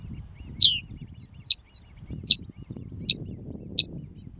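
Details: At the Tovačov ponds in the Czech Republic, 2013–2014, a great crested grebe with chicks: five brief, piercing high peeps roughly every three quarters of a second, the first slightly longer, above low rumbling noise.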